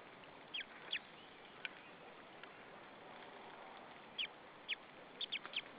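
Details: Begging white-tailed eagle nestling, Saunja nest in Estonia, afternoon of 26 April 2013, as an adult waits on a branch before feeding: scattered high descending chirps, sparse at first, then a rapid burst of five near the end.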